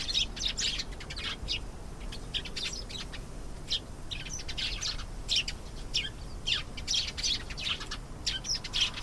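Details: Canary singing a lively run of fast trills, chirps and warbled phrases, shifting rhythm every second or so with barely a pause, steady low hum underneath.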